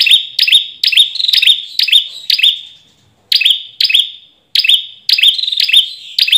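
An ashy tailorbird gives sharp, ringing notes about twice a second, in bursts separated by brief pauses. No other sounds are heard.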